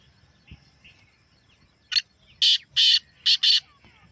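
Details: A natural Black francolin call, played to get captive francolins calling: after faint soft notes, a rasping five-note phrase sounds, with a short first note and two loud paired notes.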